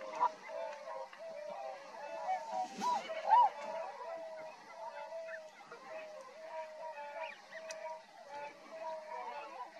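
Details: Tundra swans recorded at Rosedale and Munson near Drumheller, Alberta, Canada: a dense, continuous chorus of overlapping mid-pitched honking calls, with a brief splashy noise near the third second.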